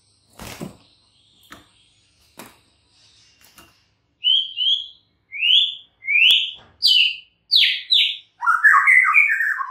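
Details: A few soft clicks, then a white-rumped shama gives a series of sharp, rising, slurred whistles about every half second, ending in a fast, chattering, descending flourish.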